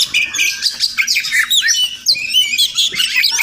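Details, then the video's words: Wild Oriental magpie-robin (Murai Kampung) that visits a home every morning, possibly nesting nearby; a rapid run of varied clear whistles and sharp chirps, high and bright, overlapping with little pause. "Crazy Sounds of Village Magpie Birds"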